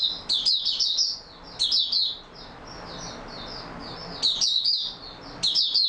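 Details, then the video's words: Oriental white-eye singing steadily, recorded 28 February 2022; high chirping phrases of rapid rising and falling notes, with a stretch of faint soft warbling in the middle before loud bursts return. "Mata Puteh Raja Video 1 buka sing stable form"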